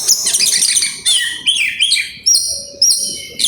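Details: Oriental magpie-robin singing grabakan with isian phrases: a burst of fast chattering notes, then separate loud sliding whistles about every half second, each starting sharply and tailing off.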